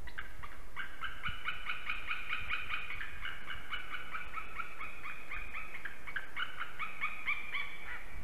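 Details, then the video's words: Long bout of calling from a white-tailed eagle in Slītere National Park, Latvia, 16 December 2020, 9:12 am: rapid yelping notes repeated steadily for eight seconds, barely pausing, with a few pitch wobbles, over soft background rumble. "Jūras ērgļis Slīteres~Visit by Silva! a lot of calling!"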